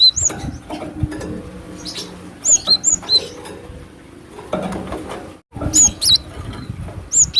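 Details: A cinereous tit in the wild calls to lure other birds: high whistled notes falling in pitch, in loose pairs and triplets, then a brief silence before more notes, with low background hum and clatter.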